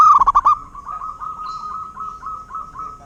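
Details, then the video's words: Local Zebra dove singing: a brief loud burst of rapid beaded coos opens, followed by a long run of soft, evenly repeated cooing notes on one pitch, like a distant second dove answering. "Suara Burung Perkutut LOKAL alam"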